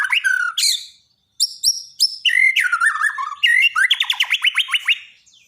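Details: Borneo white-rumped shama singing as daily tutor audio for shamas that quit singing: bright slurred whistles and clipped high notes in bursts, then a fast run of rising strokes.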